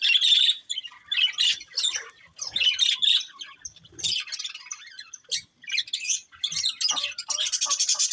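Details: Colourful budgies, a breeding pair, chatter in repeated bursts of scratchy warbling and sharp chirps roughly every second. The final stretch turns into a steady rapid buzzy trill.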